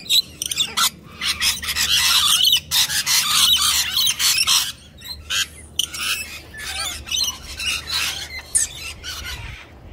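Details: Many friendly Rainbow Lorikeets gather on a person's arm, one following another. They keep up continuous loud shrill screeching and chattering, with short harsh notes overlapping rapidly and only brief pauses.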